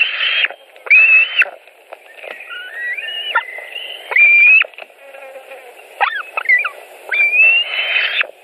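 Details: Evening food delivery at 21:05 at a white-tailed eagle nest in Latvia, 5 July 2018; separate high whistled squeals with rising, wavering notes and short pauses, some softer chatter between them.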